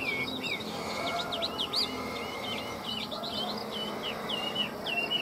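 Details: Caged Chinese hwamei from a Vietnamese bird seller, delivering a continuous run of varied whistled phrases, looping up-and-down slurs and short trills, over steady low background noise.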